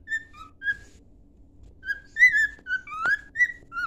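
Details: Cockatiel singing a training song, with short clear whistled notes spaced out at first, then a quicker run of bright whistles with one sharp upward-sliding note near the end.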